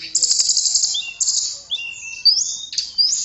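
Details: Tledekan, a blue flycatcher, delivers high sweet whistles: sustained shrill notes broken by quick rising slides and short twittering phrases, clear against a quiet background.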